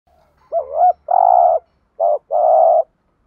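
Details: Spotted dove cooing to provoke untamed doves into calling: a short wavering, bent note and then a long steady low hum. The pattern repeats twice, with a faint low rumble in the background.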